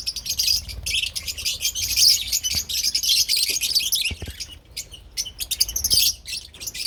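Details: Rapid, piercing chatter of Agapornis lovebirds in parblue and opline colours, thick at first, then thinning into scattered chirps, with faint low knocks in the background.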